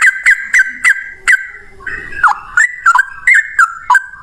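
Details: Yellow-vented bulbul male, 'ropel panjang' long fighting song used to coax other bulbuls into song: a row of short, bright whistled notes, a brief lull with faint rustle, then more quick warbling phrases.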